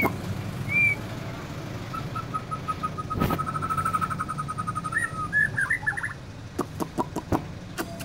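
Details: Easily agitated white-rumped shama giving a brief whistle, then a long series of fast, even repeated notes that speed up into twisting warbled flourishes, followed by several sharp clicks over a low hum.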